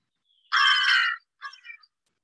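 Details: An American crow gives its non-nasal call, unlike a fish crow's: one long, harsh, hoarse caw, then a shorter, fainter broken note about a quarter second later.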